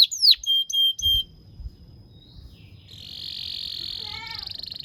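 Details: Canary song played to teach young canaries to sing: a few bright rising-falling whistles and short clipped notes, a pause with faint low background noise, then a long buzzy roll ending in a descending ladder of notes.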